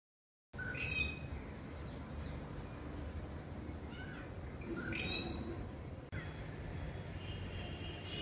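Rufous treepie giving two harsh, grating bursts, early and midway, with a few brief thin notes between, over a steady low rumble of background noise.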